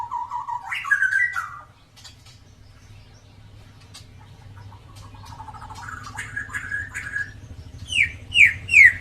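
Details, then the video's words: White-rumped shama with a drooping tail in active song, used to provoke other birds into singing: a wavering whistle and upward flourish, a quiet stretch, soft warbled phrases, then three loud, sharp, falling whistles at the end, over low hum. "MURAI BATU EKOR KLEWER GACOR COCOK BUAT PANCINGAN BURUNG YANG JARANG BUNYI"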